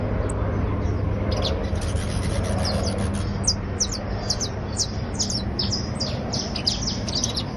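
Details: A criollo basto canary, a creole type, trills in quick runs of thin, high, downslurred chirps that grow busier after the first second, set against a constant low droning hum.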